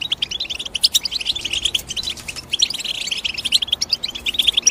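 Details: Chirping European goldfinch: overlapping high twitters and sharp tinkles in a steady stream, occasional louder clicks, faint hum below.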